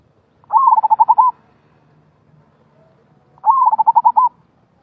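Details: Zebra dove singing the rolling style known as gulung: two loud phrases about three seconds apart, each a rapid bubbling series of short rolling coos about eight notes long, in a quiet setting.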